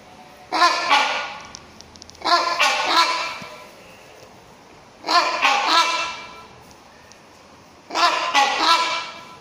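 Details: Zoo-kept rhinoceros hornbill (silvestris) at Chester Zoo calling in loud, raucous double honks, four paired bursts roughly every two and a half seconds, harsh and nasal with rich overtones.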